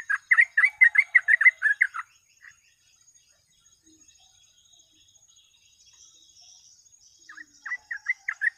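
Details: Sooty-headed bulbul song, 'gacor ropel', played as a lure for catching birds: two seconds of rapid bubbling whistles, a long quiet gap with faint hiss, then a few sharp notes resuming.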